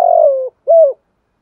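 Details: Spotted dove coo fragment, from a voice used to train young doves: the tail of a long burry note sliding down, then one arched, hollow final coo.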